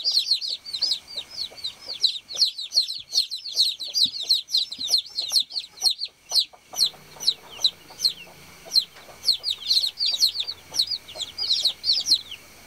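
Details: A brood of baby chicks on a farm calling the hen with shrill, downward-slurred peeps, very dense at first and then slightly sparser, with a faint low hum joining in the later part.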